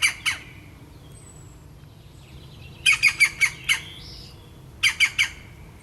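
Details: Young European green woodpeckers calling: harsh, raspy squawks given as a pair, then a quick run of five, then three more in close succession, loud against a quiet background.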